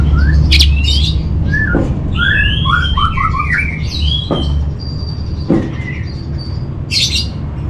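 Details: Orange-headed thrush master song for training captive birds: clusters of quick falling whistles and chattering notes, then sparse clicks and a high buzzy burst near the end, against steady low rumbling noise.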